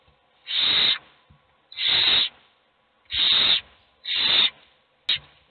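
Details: Hungry owl chicks in a nest box begging for food, only one being fed: harsh, rasping hisses, each about half a second long, repeated four times at roughly one-and-a-half-second intervals, then a short final burst.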